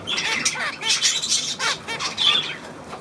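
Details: Budgerigar calls: bursts of harsh high squawks mixed with short warbling, curling notes, several birds calling over one another.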